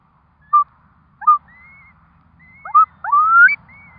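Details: Curlew at a nest with four chicks hatching: short clear whistled notes near one pitch, then a longer note sliding upward, with faint higher drawn-out whistles between them over a quiet low rumble.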